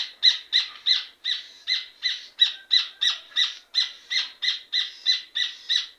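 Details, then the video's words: Rufous hornero (red ovenbird) singing a loud series of harsh, ringing notes, about three per second, steady and unbroken for several seconds. "Red ovenbird sound effect - Rufous Hornero sound effect"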